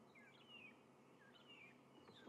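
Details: Magpie shrikes calling from behind a safari vehicle in the shade of a marula tree at Djuma, Kruger area, South Africa, on a sunrise drive in April: faint, clear whistled phrases, each sliding up then down, about once a second over steady outdoor hiss.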